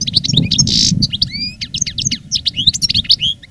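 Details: Veteran caged goldfinch, a reclamo-style master singer recorded live in 2017 after moulting, delivers a dense continuous stream of quick twittered notes, slurred whistles and a brief harsh buzz over low background hum.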